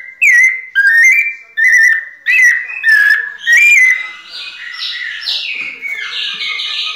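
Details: Pianado song of a kept White-necked thrush: five loud, clear whistled phrases about a second apart, then a softer run of warbled, overlapping notes.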